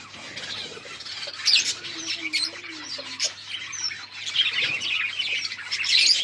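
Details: Steady, harsh chattering from mating lovebirds, a thick wash of high squeaks that swells louder toward the end.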